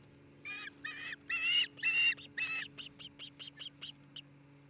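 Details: From the Charlo, Montana osprey nest on 27 June 2018, several long, strained whistled calls give way to a string of softer, quick chirps, heard against a steady low hum.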